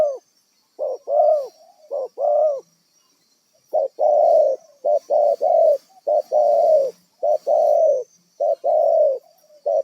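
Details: Spotted dove caught wild and used as a trapping decoy, cooing in soft, deep two-part phrases: a clipped note followed by a drawn-out swelling coo, repeated in uneven bursts after a brief silence.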